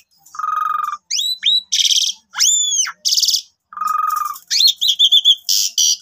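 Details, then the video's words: Asian pied starling song used as a morning lure to get other starlings singing: clean, varied phrases of rising and arching whistles alternating with harsh buzzy bursts and a steady mid-pitched trill, the sequence repeating after about three seconds. "Pancingan Suara Panjang Cukup 1 Menit !! Jalak Suren Manapun Ikut Gacor"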